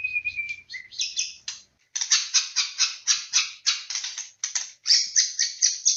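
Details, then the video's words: Harsh rasping bursts of white-rumped shama (murai batu) from a vigorous lure recording, repeated about twice a second after a short whistled opening. "PANCINGAN BURUNG MURAI BATU PALING GACOR AMPUH"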